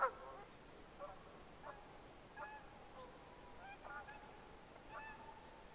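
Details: Red-breasted merganser giving a series of short nasal, harmonic honking notes, about one every second or so, moderate in pitch with a brief sharper note at the start, over a steady background hiss.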